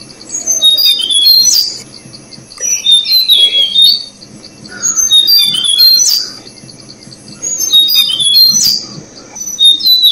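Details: Tickell's blue flycatcher chicks being fed by their parents in Thai forest, where the resident species nests in the rainy season; bursts of high, thin, excited twittering chirps recur about every two and a half seconds over a steady high whine.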